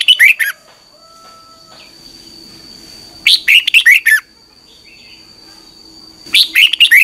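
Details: Morning song of a Red-whiskered bulbul, 2021, a training recording: bright chirpy phrases of four to five fast whistles come about every three seconds, and a faint thin whistle sounds between them over a steady high hum.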